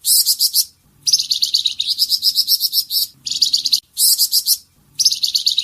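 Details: Flamboyan bird singing its rapid tembakan song, used as a master recording for training songbirds: high, dense trilled bursts about a second long, separated by brief silent gaps, with a faint low hum beneath.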